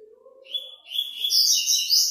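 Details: A double-collared seedeater from Praia Grande, entered in a web song tournament, gives a fast, high, buzzy warble that grows louder through the phrase, with a faint low hum at the start.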